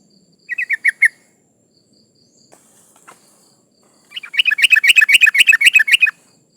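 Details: Sooty-headed bulbul female in breeding condition calling to males: a short run of five bright chattering notes, a pause with faint rustling, then a longer fast burst of about fifteen sharp, evenly spaced chips.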